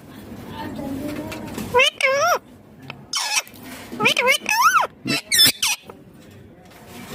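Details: Green ringneck parrot talking with natural sounds: a run of rising-and-falling whistled, voice-like syllables in short bursts, with a steady background hiss.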